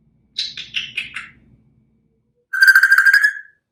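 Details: A one-year-old male African grey parrot, recently rehomed and mimicking catcall whistles and iPhone ringtones, gives five quick descending whistled notes, then after a pause a buzzy, warbling electronic-like trill lasting about a second.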